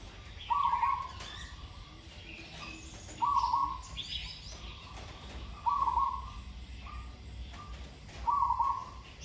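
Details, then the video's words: One captive Zebra dove being trained, kept hanging in trees, described as sweet-voiced with fine phrasing: four rapid, burbling coo phrases repeated roughly every two and a half seconds over light chirps of other birds. "นกเขาชวาฝึกต่อ เสียงเพราะๆ เดินกลอนดีๆ"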